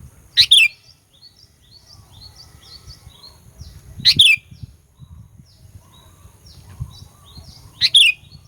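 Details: Sooty-headed bulbul lure song meant to raise the aggression of rival bulbuls: three bright whistled two-note phrases about four seconds apart, with soft chirps from other birds and a low rumbling hum throughout.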